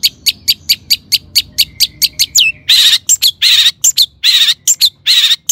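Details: Long-tailed shrike singing to provoke other shrikes into song: a steady run of clipped high chirps, then a swooping whistle giving way to loud rasping, buzzy bursts mixed with sharp squeaks.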